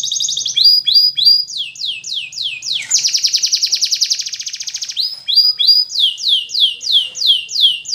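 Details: A canary sings a training song meant to teach canaries to sing, in fast rolling phrases: rapid falling whistles, a long buzzy trill near the middle, then more quick descending notes.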